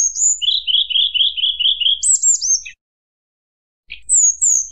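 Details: Flute-like song of a white-browed shortwing used to rile rival birds: a rapid run of repeated whistled notes, about four per second, then a high buzzy phrase, a pause of over a second, and sharp high whistles.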